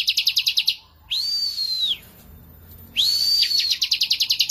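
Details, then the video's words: Bar-winged prinia in lively full song: fast runs of sharp, high ticking notes, about three a second, alternating with long, clear, arched whistles that rise, hold level and fall. "KICAUAN BURUNG CIBLEK GACOR"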